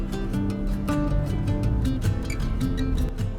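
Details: Strummed acoustic guitar music fills the whole passage, with no animal voices audible.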